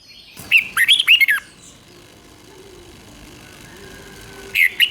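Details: Caged red-whiskered bulbul from Thailand singing a southern master-style phrase used to stir up other birds: a short run of bright, slurred whistled notes, a long quiet pause, then another phrase beginning.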